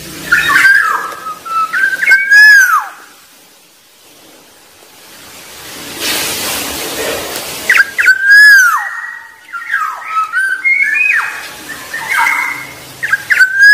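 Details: Repeated liquid whistled phrases of a black-naped oriole, with slurred notes that swoop up and down, a quieter hissy stretch in the middle, then another series of varied fluty whistles.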